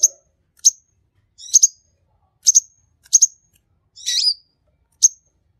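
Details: Sunbird, called king konin, singing energetically as a lure to draw other birds into song: short high chirps and double notes repeated at uneven intervals, with one buzzy trill near the end and clean quiet gaps.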